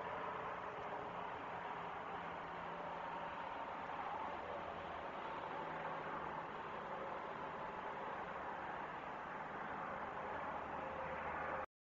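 Steady broadband noise, like traffic or wind, continues throughout with no animal sounds, then a brief dropout near the end.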